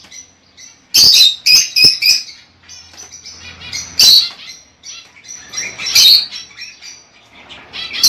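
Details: Lovebird chirping to encourage mating: scattered shrill, piercing chirps and short chattering bursts over a continuous soft twittering background.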